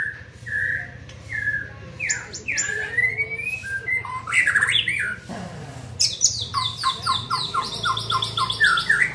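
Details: Young white-rumped shama in training: varied whistled phrases and harsh chattering notes, then a fast series of repeated sharp, bright notes over the last three seconds, over a steady low hum.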